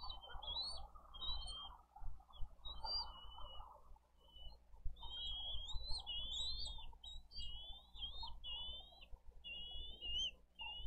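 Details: Chick of a bald eagle pair at a Dade County wildlife-rescue nest cam, 2023-04-20, asking for food: thin, high, wavering squeals in irregular bursts, some in quick chattering runs, with low hum underneath.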